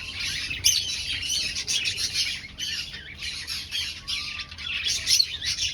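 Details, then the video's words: Finches housed in an aviary, breeding and finding nests; rapid high twitters and sharp squeaky notes from many birds in short clustered bursts. "Finch Sounds"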